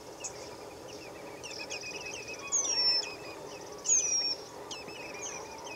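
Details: Eurasian penduline tit recorded in Israel in December 2023, giving two thin, high, drawn-out descending whistles about a second apart, with other small birds chirping and a faint insect hum behind.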